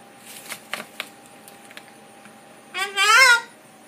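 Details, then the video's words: A cockatoo greets the people on the block with one loud, harmonic, rising-then-falling "hi" lasting under a second, after a few soft taps and clicks. "the cockatoo telling the people on the block hi"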